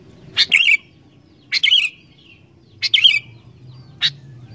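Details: Lively singing of a sooty-headed bulbul, played to prompt wild bulbuls to sing: four short, bubbly, downslurred whistle phrases about a second apart over a faint low background hum.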